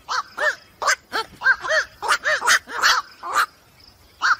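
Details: Black-crowned night heron, used as a lure call for the 2023 night-bird trapping season, gives harsh, barking 'quok' calls in a quick uneven series, about a dozen in four seconds, over a faint background hiss.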